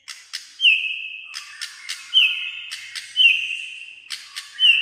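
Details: White-rumped shama, singing almost all day, in clear whistled song: long level whistles near one pitch alternating with sharp broadband clicks, the pattern repeating about every second, no other sounds.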